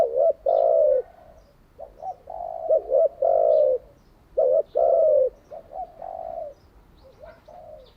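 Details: Spotted dove, a training decoy for captive doves, cooing in loud low bursts mixed with softer wavering notes, an irregular string of phrases throughout.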